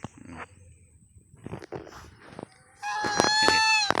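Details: A goose, acting affectionate and said by its keeper to have missed them, gives a loud, nasal, drawn-out honk with a wavering tone after a few seconds of faint rustles and clicks.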